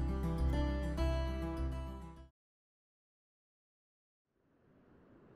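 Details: Plucked acoustic guitar strums and then stops, followed by two seconds of silence and then a soft rising rush of noise.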